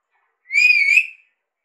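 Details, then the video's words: Indian Alexandrine parakeet, a pet talking parrot, produces one smooth whistled note with a slight dip and rise, brief and clean against silence. "Talking Prrort mithu ka seety bajana, vicel voice mithu indian Alexander parrot"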